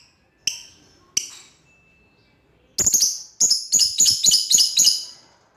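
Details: Lovebird; call; calling out to a rival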